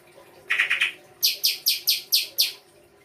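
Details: Songbird song opening with a brief burst of three lower trilled notes, then six loud, sharp, high chirps repeated at an even pace, about three per second, in a quiet setting.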